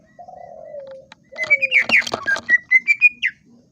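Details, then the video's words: Greater green leafbird singing: a low, drawn-out falling whistle, then a rapid jumble of varied chirps and twittering notes, ending in a series of bright, rising whistled notes. "KICAU BURUNG CUCAK IJO"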